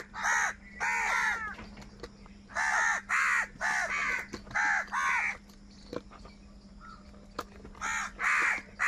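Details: Several crows squabbling for food call in rapid, rasping caws, often doubled or tripled in quick runs. Brief pauses come between the runs, against a low constant hum and scattered clicks.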